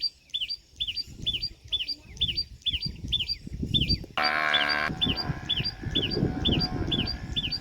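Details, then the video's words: Sharp chee-up notes of a common tailorbird, a call for contact and for warning of danger, repeated about twice a second. A loud, harmonic, horn-like blare briefly cuts across the series midway, over low background rumble. "Sound of Common Tailorbird | Common Tailorbird Call | दर्जिन चिड़िया की आवाज | Tailorbird Chirping"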